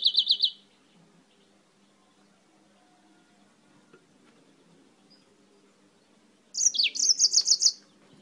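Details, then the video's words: Yellow-fronted canary (Serinus mozambicus) imported from Spain: a quick trill at the start, a long silence, then a second rapid phrase of high, buzzy repeated notes and falling slurs. "CANÁRIO-DE-MOÇAMBIQUE DIRETO DA ESPANHA CANTANDO MUITO"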